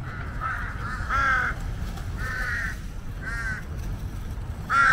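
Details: Jungle crows (Corvus macrorhynchos), a large flock gathered like vultures around a monitor lizard feeding on a giant snakehead carcass, give harsh, hoarse caws, several overlapping, repeated about every second over a low rumbling background.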